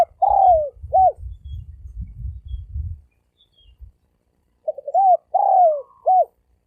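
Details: Thổ sấm đồng cooing of a spotted dove, used as a lure for males, females and wild birds: a falling croo and short arched note, low rumbling noise, then another phrase of clipped notes and a long croo.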